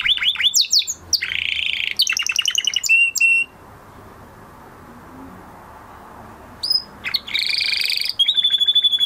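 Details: A male canary sings in bursts of fast trills and buzzy phrases after his moulting period, pausing in near silence for about three seconds before resuming with whistles and rattles.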